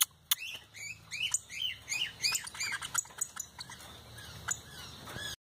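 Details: Pica hueso song: a busy run of bright, high chirps and short arched whistled notes repeated rapidly, with brief pauses and faint background hiss.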